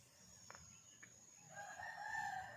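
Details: A distant chicken crows at about six in the morning by a jungle camp near Jhargram, West Bengal: a drawn-out, nasal, harmonic call rising in the last second after two soft knocks, over a thin steady high whine.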